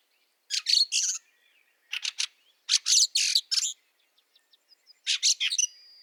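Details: Snowy Liepāja, Latvia, March 2023: a Fieldfare delivers coarse chack-chack series of two to six notes about once every two seconds, with faint ticks between them and a lingering thin tone at the end.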